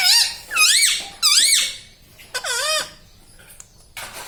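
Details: Indoor pet parrot that talks, repeating words like mummy, papa and radhe radhe; four loud, wavering, nasal phrases about every half second to second, then near silence with a faint click.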